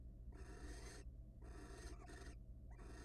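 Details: Wild barn owls at a nest box during frequent mating before egg laying, giving harsh, breathy, drawn-out hissing screeches in three long bursts, with a constant low hum beneath.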